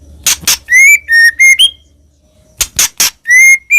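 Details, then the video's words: White-rumped shama song used as a lure: pure, steady whistled notes with slight rises, set among loud harsh noisy bursts, with a quiet gap in the middle. "MURAI BATU GACOR 100% AMPUH BUAT PANCINGAN "ORIGINAL""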